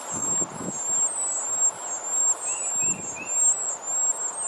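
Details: Baby birds begging as the mother feeds them: nonstop shrill, quavering squeaks held high, three short lower chirps midway, faint rustles beneath.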